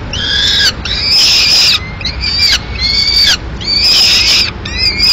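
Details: Female peregrine falcon arriving at its nest in Madrid mid-morning with the remains of a pigeon; loud, harsh, strained calls, each drawn out close to a second, repeated about four times with short breaks.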